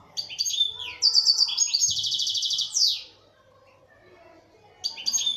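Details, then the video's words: European goldfinch of local Algerian stock in full song. Tinkling high notes lead into a fast, ringing buzzy trill with a sliding drop at the end. A quiet gap follows, then fresh twittering resumes. "تغريد حسون محلي جزائري ( تاع سيكتور )"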